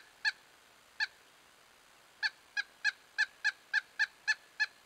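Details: A male pileated woodpecker at a creek in fall gives loud, nasal wuk notes: two spaced calls, then a quickening run of about nine at roughly four per second, with no other sounds.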